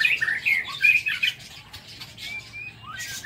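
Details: White-rumped shama singing in the morning inside an aviary: a burst of bright, rapid whistled notes, then thin drawn-out whistles and a rising slur.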